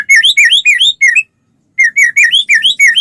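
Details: White-rumped shama, played to get other shamas singing, delivers quick bright whistled phrases, each swooping up and down, in two rapid bursts separated by half a second of silence.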